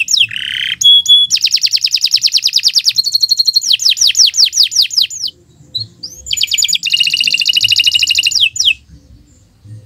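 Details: Canary in long, unbroken song for training other birds: a buzzy low note, a long fast trill, looping sweeping whistles, a brief pause, then another dense trill.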